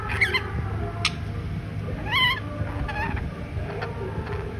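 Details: A male pet red collared lorikeet in Kolkata, India, makes his first attempt at talking: a few short, squawky, rising-and-falling chirps about a second apart over a steady low room hum.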